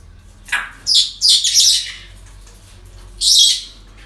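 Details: Parrots at a breeding centre on an ordinary day, giving a cluster of loud, raspy, overlapping squawks followed after a pause by one more harsh squawk.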